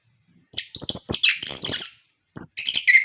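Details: Orange-headed thrush used as a singing prompt for kept birds, producing a brief burst of high whistles and scratchy, buzzy notes, then a second short phrase after a pause.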